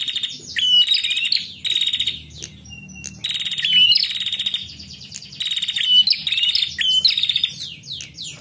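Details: Female prinia calling persistently in narung style, a recording used to lure males: short bursts of rapid, buzzy, metallic high notes, roughly one phrase a second with brief pauses between, over a faint low hum.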